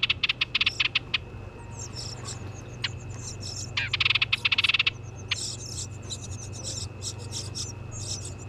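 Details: House wren nestlings in a birdhouse at a New England home give two bursts of rapid, raspy chittering, about a second each, as the parent arrives with a worm. A steady high whine and low hum run underneath.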